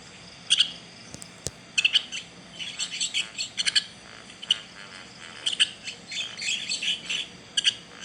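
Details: Chick calling steadily: repeated short, high, piercing chirps, often doubled, coming every half second to a second across the whole recording, with a faint tick or two early on.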